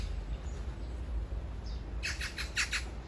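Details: Magpie, described as serenading a mate only a few meters away, gives a burst of five harsh, rasping chatter notes in quick succession, preceded by faint distant chirps over a low background rumble.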